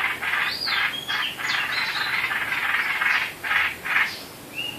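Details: Predawn bird calls on 8 April 2016: a run of rough, grating notes in quick succession, broken by short sliding whistles, then a final clear whistle after a brief pause, over steady background hiss.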